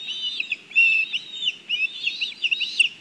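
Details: Black kites at a nest in Kurzeme, Latvia, at a food delivery: rapid overlapping high squeaky chirps and short wavering whistles, packed closely together for about three seconds.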